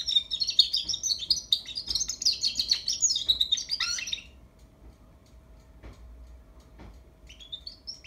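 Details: European goldfinch youngster practising song: about four seconds of rapid, jumbled high twittering and chirps, then a long quiet stretch with a few soft clicks and a last faint twitter.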